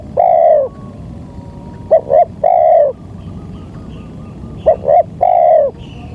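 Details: Spotted dove (tekukur) lure recording used to attract wild doves: two short clipped coos followed by a longer, mellow, slightly descending coo, the phrase repeated twice over quiet background hiss.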